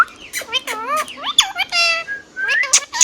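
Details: Tame pet Rose-ringed parakeet speaking rapidly, a quick string of nasal, harmonic speech-like syllables that bend up and down, ending in a rising whistled slur.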